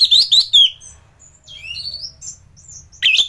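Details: Anis thrush in full song, recorded for training other thrushes: three loud slurred whistles, softer rising and falling warbles, then a sharp buzzy note at the end.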